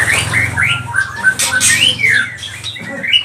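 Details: ['White-rumped shama (murai batu pastol) song played to provoke other birds: quick varied upslurred and downslurred whistles with scratchy accents over a low hum.']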